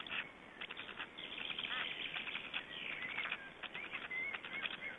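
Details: Black stork nest in Estonia during feeding, 20 May 2012: a dense, continuous stream of harsh rasping and chattering notes, ending with several thin rising and falling whistled squeals.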